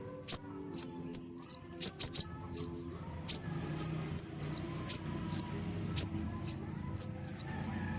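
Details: Sunbird, kolibri ninja, singing nonstop to provoke other birds; a series of very high, sharp chirps and descending slurred whistles spaced about half a second apart, with a soft low hum in the background.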